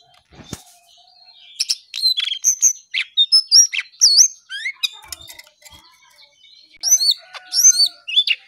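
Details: Lesser shortwing (cingcoang coklat) singing energetically: bursts of high, sweet whistled notes with quick upward and downward slurs, grouped in short rapid phrases separated by brief pauses.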